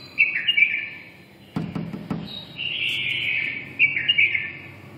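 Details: Red-whiskered bulbul, described as a 'mí đỏ' bird, singing in the 'siêu ché' style: bright warbled phrases at the start and again from three seconds on, with a sustained rolling note between them, broken by a burst of sharp clicks near two seconds.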